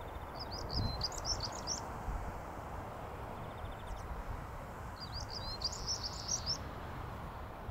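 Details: A European stonechat sings at Hengistbury Head on 21 March 2019, giving two brief, high, scratchy twittering phrases a few seconds apart over a steady low rumble of wind and distant traffic.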